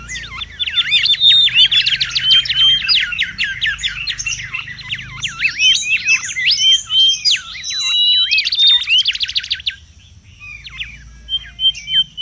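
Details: Mangrove whistler in the wild, a recording meant for luring and tutoring: dense chattering song of rapid repeated strokes and bright whistles, fading to scattered short notes near the end.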